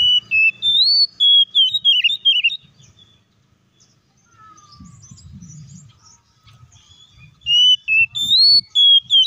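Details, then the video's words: Kacer, the oriental magpie-robin, singing to goad rival birds into song: bright whistled phrases with wavering trills, a pause with faint low rumbling, then the loud whistles resume. "PANCINGAN BURUNG KACER AGAR IKUT BUNYI DAN BUKA MATERI"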